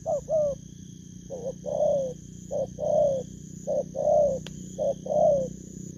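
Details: Spotted dove, newly caught from the wild; mellow coos, a quick short note then a longer swelling one, repeated roughly every second, over a low background hum and one sharp click.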